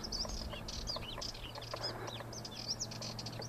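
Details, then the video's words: Sardinian warbler warbling: a fast, scratchy chatter of high, twisting notes delivered in a rapid continuous stream, with a low hum underneath. "Sardinian Warbler...warbling"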